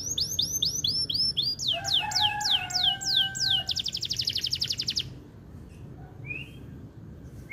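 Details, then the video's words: Canary singing, used to stimulate breeding condition in females: a run of rising swooping whistles about four per second, then a fast buzzy trill, then quieter faint notes. "SUARA KENARI GACOR DURASI PANJANG BUAT PANCING BIRAHI KENARI BETINA"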